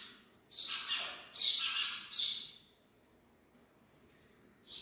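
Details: Three newborn sparrow chicks give raspy, high chirping cries in three loud bursts about a second apart, then silence before a faint new chirp begins.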